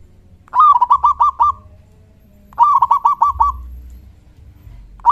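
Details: A big-voiced local zebra dove in strong singing form, calling to draw answers from other doves. Two full phrases of a rising intro note and five staccato, rolling coos, about two seconds apart, with a third just beginning at the end.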